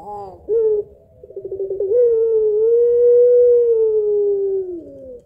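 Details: Barbary dove of the puter pelung kind, lure recording, long voice: a short sharp note, a quick rolling stutter that speeds up, then a steady sustained coo of nearly three seconds, slowly falling at its end.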